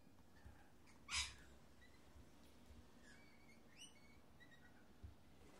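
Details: Mating pair of lorikeets sharing grapes on top of a computer monitor: one sharp, harsh screech, then a few faint, thin squeaks and chirps over a low background hum.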